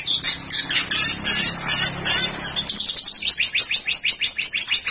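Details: White-rumped shama, said to have fighting spirit and be ready for contests, producing a buzzy high chatter that shifts into a fast steady series of sharp repeated upswept notes.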